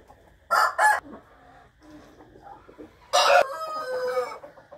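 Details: Morning rooster crow recorded 8 April 2021: two brief loud harsh notes, a pause with faint clucking, then a longer crow with a loud start and a sustained, wavering tail.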